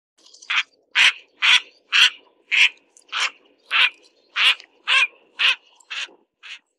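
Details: Mandarin ducks during mating give about a dozen short, harsh, mid-high calls, roughly two a second, in an otherwise quiet setting.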